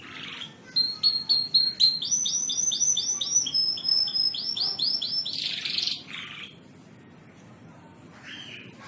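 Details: Canary song meant for training other birds: rapid trills of repeated bright whistled notes, a buzzy rasp, then a quiet pause with faint background hiss.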